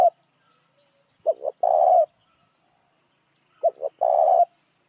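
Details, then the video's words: Spotted dove calling to attract other doves: two phrases, each a pair of brief clipped notes leading into a longer, even coo, with a quiet pause between. "tiếng chim cu gáy kích mồi"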